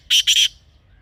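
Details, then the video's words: Wild black francolin from Pakistan, recorded outdoors for use as a hunting call: two quick, loud, rasping notes run almost together. The notes are harsh and distorted, followed by silence. "Real Kala Teetar Sound"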